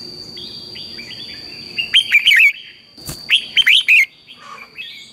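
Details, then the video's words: Morning song of a red-whiskered bulbul, recorded as a lure for training birds to sing: soft twitters, then two loud, rich, rolling warbled phrases about a second apart, with a constant thin high-pitched hum behind. "luyện chào mào hót sáng, Hót hay KÍCH BỔI NHANH CĂNG LỬA"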